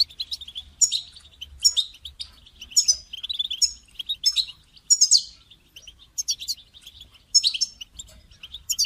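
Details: European goldfinch call used to motivate a caged goldfinch to sing: bright, tinkling, twittering notes in quick bursts roughly every second, sharp chirps mixed with buzzy trills, steady throughout with a faint low hum beneath.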